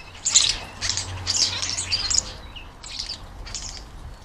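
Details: Common Starlings at garden feeders in the UK, screeching while fighting over the feeders as jackdaws eat fat balls nearby; harsh, hissing, high-pitched bursts in quick clusters, then two shorter screeches after a brief pause.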